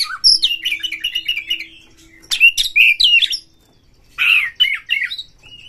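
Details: White-rumped shama provoked by a rival, opening its tail and singing: a rapid rattling run of repeated notes, then jumbled twittering phrases and a loud downslurred burst, with a faint steady hum behind.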